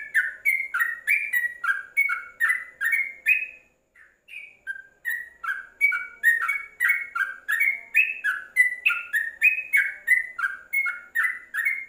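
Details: Yellow-vented bulbul tutor song for training birds, meant to be played with the cage covered: bright, chattering two-note phrases around the middle pitches, repeated about three times a second with a short pause near four seconds.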